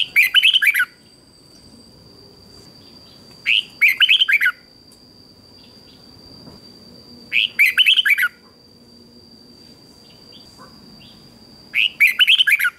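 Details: Red-whiskered bulbul singing in competition style, used to train birds: short bursts of rich, rolling whistled notes about every four seconds, each phrase a quick run of rising and falling slurs, with a steady high electronic tone underneath.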